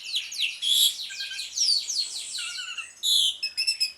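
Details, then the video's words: Asian pied starling in ngriwik song, a lure for non-singing birds of the species; run of quick descending whistled slurs and chatter, then a loud clear whistle followed by short buzzy notes. "JALAK SUREN NGRIWIK, PANCINGAN JALAK SUREN MACET BUNYI"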